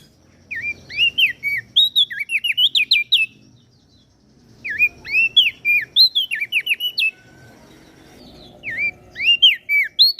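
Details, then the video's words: Masteran for cage birds featuring common iora and bar-winged prinia from Lombok: three separate bursts of quick, looping whistled notes, each lasting about two seconds, divided by short pauses. "Opior Jambul gacor Mental Juara Masteran Jitu Burung Prenjak Daun Lombok"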